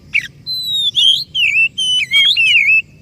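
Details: Oriental magpie-robin lure song meant to prompt a stalled or stressed bird to sing, heard as a rapid chain of bright whistled notes that sweep up and down, closely spaced over three seconds.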